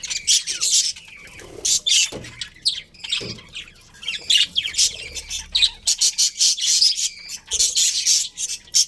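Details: Colourful budgies in a colony, including a breeding pair, calling in repeated harsh squawks and chirps that come in bursts of about half a second, separated by short quieter gaps.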